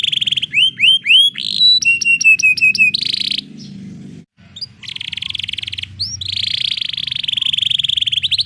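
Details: Canary in rolling song, meant to coax canaries that rarely sing: quick slurred whistles and clipped repeated notes, a brief pause, then long rapid buzzy trills to the end.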